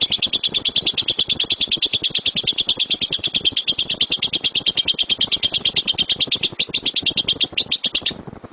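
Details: Lovebird's loud 'tembakan' master song for bird training: a dense, rapid volley of high, sharp chirps at roughly three per second, stopping abruptly near the end.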